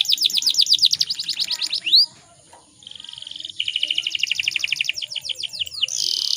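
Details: Female canary in breeding condition, used to lure males into singing: rapid series of high downslurred notes, a single rising whistle, a short gap, then a dry buzzy trill, more repeated sweeping notes and a harsh buzz closing it.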